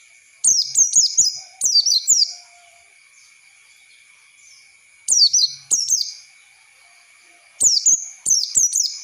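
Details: Oriental white-eye lure song for young birds to learn: three separated bursts of rapid, high, falling twitter notes with quiet gaps between, over a faint steady high tone.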